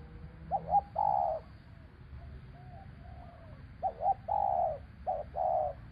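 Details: Spotted dove calling to lure a bird down in traditional dove trapping. Two phrases of cooing: short quick notes leading into a longer, hoarse mid-pitched coo, with soft faint coos between, over low rumbling background noise.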